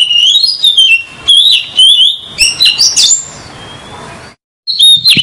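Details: Oriental magpie-robin singing as a trapping lure: warbled whistles that wander up and down, mixed with scratchy chips, then a brief gap before a final loud burst.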